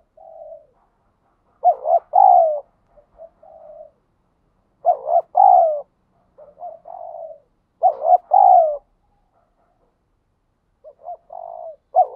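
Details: Ground-type spotted dove cooing in the wild in the thúc gù manner: a series of throaty two-note phrases with drawn-out, falling endings, separated by quiet stuttering coos and pauses of a few seconds.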